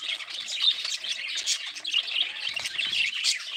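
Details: Busy budgerigar chatter: many high, quick chirps and twittering warbles pile up into an unbroken wash of sound, with a few sharper squeaks standing out.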